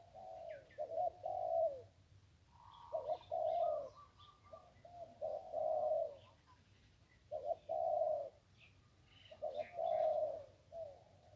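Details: Ping River zebra dove in Thailand giving its 1-kuk style song near a decoy: bursts of rolling, throaty coos every two to three seconds, with thin chirps from other birds above.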